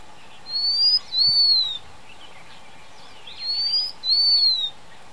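Blue-winged minla giving a high, thin two-part whistle: a short rising note, then a longer slurred one. The phrase repeats about every three seconds over faint background hiss.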